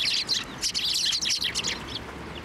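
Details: Brief burst of busy, overlapping high chirps from sparrows crowding a hand to be fed at a Tenmangu shrine in March 2024.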